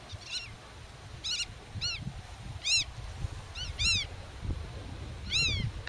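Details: Black-tailed godwit defending its territory and nest, talking with chicks hidden in the grass: repeated short arched nasal yelps in irregular pairs, over low rumbling background noise.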